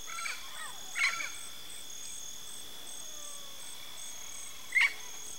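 Two short, harsh, squawking parrot calls about four seconds apart, over a steady high insect drone with faint pulsing chirps.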